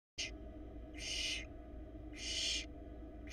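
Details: Inside a Florida barn owl nest box, a nestling tackling an oversized rat gives three harsh, noisy hisses, the last two longer and louder, about a second apart, with a steady background hum.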